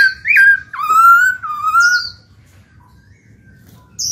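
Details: Black-throated laughingthrush kept as a cage bird, singing to stimulate other birds to sing: two or three loud, drawn-out slurred whistles, rich and fluty, followed by quiet, with a brief high note at the end.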